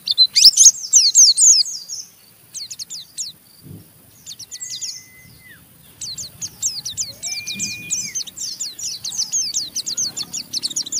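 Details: Rough chattering ngeriwik of an Oriental white-eye, meant to prompt other white-eyes to join in; loud opening twitter, a quieter gap with a thin held whistle, then a long steady series of fine high chips.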